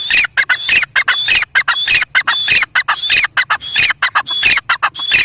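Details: Grey francolin, known locally as teetar or dakhni teetar, calling in a loud, harsh, rapidly repeated series of grating notes, each with a thin whistled tone, coming about one and a half times per second without pause.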